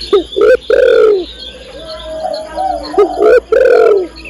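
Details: Calling to the male, a female spotted dove gives harsh cooing phrases: quick rising notes then a longer falling coo, with quieter warbling coos in the pause before the phrase repeats.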